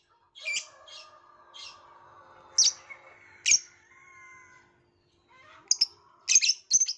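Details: Violet lovebird producing scattered sharp, harsh chirps that cluster into a rapid flurry at the end, over a background of thin, sustained tonal whistling and a low hum.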